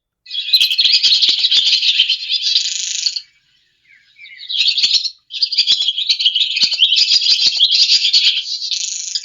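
Swallow twittering: dense, rapid high chirps and warbled notes in long bursts, with one brief pause near the middle.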